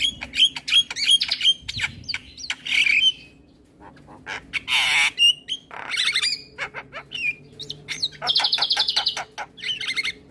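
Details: A male Javan myna delivers a full song used to stimulate young mynas: sharp whistled notes and clicks, a burst of noisy screech, then grating buzzy phrases repeated rapidly, with a faint low hum behind.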